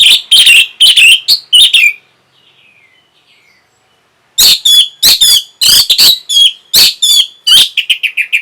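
Orange-headed thrush giving loud, rapid bursts of sharp, chattering notes with short whistled fragments, a pause of about two seconds, then a dense run of repeated phrases.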